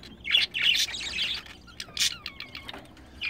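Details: Pet budgerigars, a mated male and female, chattering; harsh warbled notes followed by a descending run of thin whistled chirps, then quiet.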